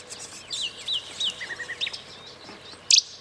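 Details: European goldfinch singing at Eastriver, Skala Kaloni, Lesbos, Greece, in May 2010: a quick twittering run of high chirps and short slurred whistles, ending in a louder sharp burst.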